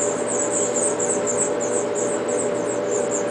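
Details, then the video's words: A House Finch parent feeding five nestlings at a backyard nest in spring or summer: the young give a very high, thin, pulsing chatter of overlapping begging calls that never stops, over a steady low hum. "House Finch bird feeding her 5 little youngs babies"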